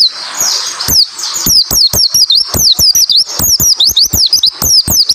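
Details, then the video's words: Dense white-eye song for prompting other white-eyes to sing: a continuous chatter of high, zigzagging chirps, rising and dropping in quick succession for five seconds, clicks marking each note. "masteran burung pleci suara rapat tembakan sadis pleci macet bunyi langsung ikut nyaut nembak"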